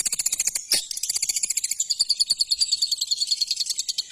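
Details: Long-tailed shrike singing, a fast, dense, buzzy chatter of high notes repeated about three times a second, with a thin sustained whistle running through the second half.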